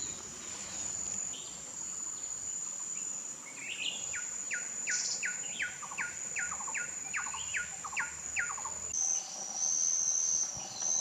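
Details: Puff-throated babbler, locally called kikiau, singing a quick run of about ten clear whistled notes, each sliding downward, spread over roughly four seconds, over a steady high-pitched insect drone.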